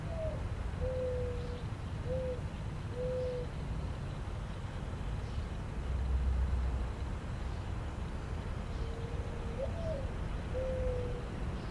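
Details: A lone mourning dove (Zenaida macroura) gives two soft, low, hollow cooing phrases, each a rising note followed by several steady coos, over a constant low rumble of distant traffic.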